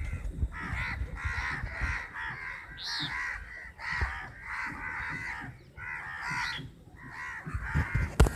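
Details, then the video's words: Crowd of crows squabbling over food: harsh caws overlap in bursts with short pauses, ending in a loud knock. "crows sound"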